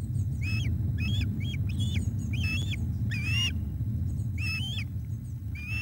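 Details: Osprey calling while bringing a fish to the nest on 17 July 2021 at 19:48: a series of sharp, piping chirps with slightly rising then falling notes, about seven bursts in quick succession over a steady low rumble of wind.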